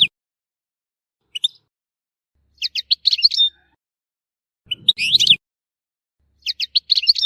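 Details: Goldfinch song from Tissemsilt, Algeria, in short scattered phrases of high, quick twittering notes, a brief low thump around five seconds, and quiet pauses between bursts.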